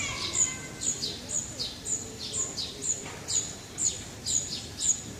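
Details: Birdsong in a city park, Parque de la Florida in Vitoria-Gasteiz: thin, high chirps come roughly every half second in a regular run, with faint background hum.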